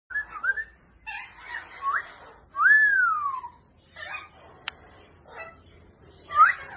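A grey parrot gives a string of clear whistles, one long arching whistle in the middle, mixed with short speech-like syllables and a sharp click.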